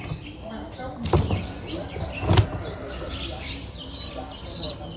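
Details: Streak-eared Bulbul nestlings, nine days old, recorded in Ubon Ratchathani, Thailand, on 11 April 2023. Sharp, high, rising-and-falling squeaks come in a quick series. Two loud clicks or knocks are heard near the start.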